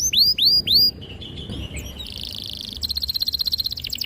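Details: Canary song meant to encourage young canaries to sing. Three loud swooping whistles open, followed by softer buzzy notes and a fast, even, high trill of clicking notes.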